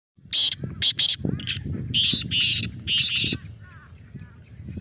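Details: Male black francolin (kala teetar) calling loudly: three harsh, grating bursts, then a run of buzzy, rasping notes grouped into a rattling phrase, with a low rumbling background beneath.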